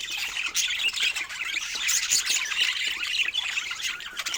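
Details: Pet budgies enjoying healthy fruit, giving a steady stream of high, scratchy chirps and squawks overlapping into busy warbling chatter.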